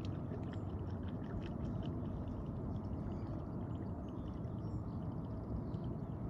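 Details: Steady low rumbling and gurgling water noise with a faint engine-like drone, and no animal voice.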